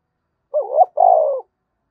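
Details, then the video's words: Spotted dove giving an energetic thúc bổi style coo: a quick wavering double note followed by a longer, steady, slightly falling hollow coo, all in a low mellow register, with silence around it. "tiếng cu gáy thúc bổi cực sung mở 100% là gáy"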